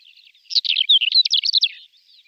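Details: A male greater short-toed lark calling and singing in flight, mimicry included: a quick, high, dry twittering phrase of jumbled chirps and short slurred whistles, lasting just over a second.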